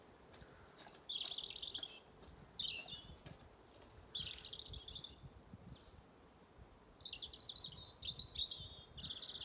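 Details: A European robin in autumn on a farm in County Kilkenny, Ireland, sings thin, high, wistful phrases of varied trills and sliding notes from a lookout perch in an often-contested territory, each phrase about a second, with short pauses.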